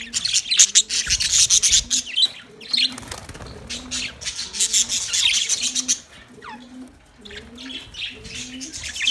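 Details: Budgies on 9 March 2024 keep up busy high-pitched chirruping and squeaky warbles in clustered bursts, with quieter gaps, while soft low hooting tones repeat regularly underneath.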